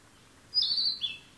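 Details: Songbird singing on June 28, giving a sharp, high, sustained whistle lasting about half a second, then dropping to a briefer, slightly lower whistle, with quiet background noise.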